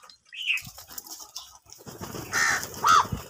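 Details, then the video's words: Crows fighting for food give harsh, hoarse caws: a short rising call early on, then two louder broad caws near the end over a busy background of chirps and clatter. "কাকের ডাক Crow sound loudly | clear crystal crow bird crowing sounds | angry kauwa ki awaaz"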